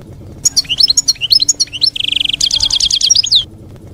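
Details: European goldfinch in campero song, for young birds to copy during moult; rapid liquid twitters leading into a long buzzy trill and then a fast rattling run of high tinkling notes.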